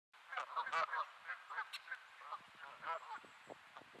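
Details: Geese honking in Sainte-Adèle, Quebec, Canada, on an overcast 15°C late afternoon in early May, described as grumpy; harsh nasal honks come in quick irregular bursts, several overlapping, with a brief high squeal near the middle.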